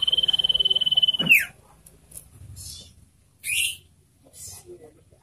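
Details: A caged sirtu holds one long, steady high whistle for over a second, then swoops sharply down, followed by a few scattered high chirps and quiet pauses.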